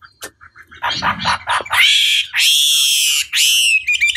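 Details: Chinese hwamei song used as a long lure recording meant to provoke a rival bird into answering; harsh, scratchy chatter and short notes open, then loud, sustained whistled phrases with rich overtones, slightly falling and separated by brief pauses.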